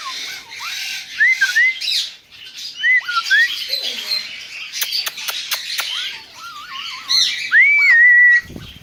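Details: King parrot giving a string of short upslurred whistles, then a wavy warbled phrase, ending in a long rising whistle that levels off; sharp clicking noises midway.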